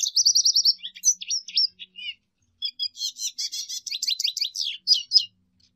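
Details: Song of a lesser goldfinch: opens with a fast, even high trill, then scattered short chirps and a few pauses, ending in a dense run of buzzy, rattling twitters.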